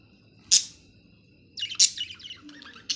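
Budgerigar giving a sharp squawk, then a run of fast, buzzy, warbling chatter.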